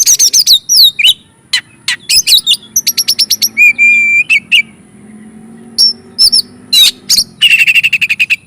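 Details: Oriental magpie-robin singing vigorously as bait to excite rival magpie-robins: rapid high chirps and curling whistles, a drawn-out steady whistle midway, then a fast rattling series of repeated notes at the end.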